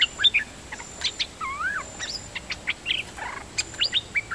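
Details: Nok dok taeng singing in a varied stream of chirps, sharp whistles and slurred upswept notes, with a faint continuous hiss behind and possibly other birds nearby.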